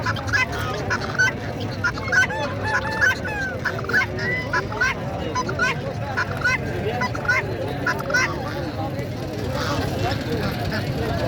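A flock of guineafowl gives harsh, grating, rapidly repeated calls that overlap into a noisy chatter.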